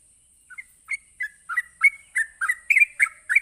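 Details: Sooty-headed bulbul 'ropelan' song, used to goad other bulbuls into singing back. The song starts softly with a few spaced whistles, then builds into louder, faster slurred notes about three per second, over a steady high hiss.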